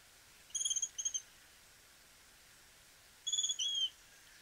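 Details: Chestnut-crowned Becard (anambé castaño), one of Argentina's common birds, sings two short phrases of high, thin whistles, a quick run of four or five then a couple of longer slurred notes, over a quiet background.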